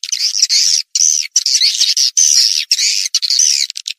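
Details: Swiftlet calls played to lure swiftlets: drawn-out, rasping, wavering trills, high and shrill, in several long phrases separated by brief silences.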